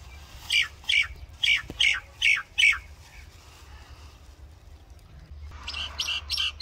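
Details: Common myna sound: six harsh, evenly spaced squawky chirps over about two seconds, then quieter distant chirps after a pause, with a low background rumble.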